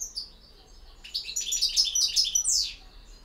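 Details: High, tinkling twitter from a European goldfinch in campero style, speeding into a run of repeated ringing notes that ends in a rising sweep.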